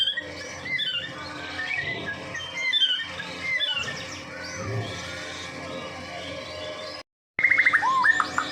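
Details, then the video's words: Medan white-rumped shama singing persistently, used to lure other shamas; varied whistled phrases and chirps over a steady hum, a brief silence, then a burst of rapid high notes and a falling whistle. "murai batu Medan. gacor door . cocok buat pancingan burung murai batu lain nya."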